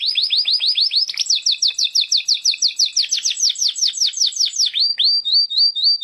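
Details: Canary singing in the morning: rapid trills of repeated sweeping notes, several per second, shifting between phrases, with high bright tones throughout and no other sounds.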